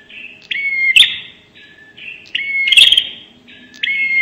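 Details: Bar-winged prinia lure sound, prenjak nembak: overlapping buzzy trills and sharp upslurred whistles, with loud snapping chirps standing out, several phrases packed closely in a busy sequence.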